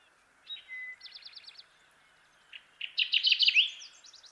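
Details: Kirtland's warbler, also known as jack pine warbler: a soft opening of short, evenly repeated high notes, a pause, then a louder, rapid burst of bright chirping notes that builds to a peak before fading into a faint trailing flutter.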